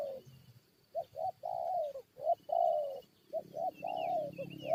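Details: Spotted dove used as a decoy against wild forest birds, giving short paired coos followed by longer rolling coos, then a low murmur and faint high chirps from another bird, over a faint constant whine.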